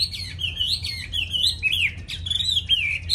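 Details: Tame caged hwamei from Vietnam singing a continuous run of loud, clear whistled phrases that swoop up and down in a high register with barely a pause, over a low steady hum.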